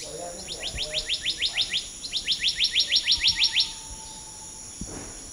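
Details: Black-naped monarch singing two long, fast runs of rising whistled notes, about eight and then about eleven, each a quick upward sweep. A soft lower whistle and a steady high drone are also heard.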